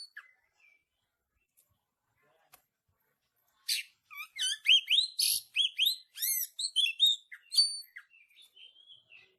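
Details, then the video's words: Caged-bird training recording of an Oriental magpie-robin, tembakan rapat style: near-silence with faint ticks, then a fast run of bright upslurred whistles and rasping chirps packed closely together. "Masteran Kacer Tembakan Rapat"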